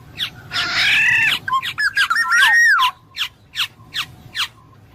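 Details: Black-naped oriole: a coarse nasal squawk followed by rich, liquid, flute-like whistled phrases sliding up and down, then a series of evenly spaced sharp downward-slurred notes.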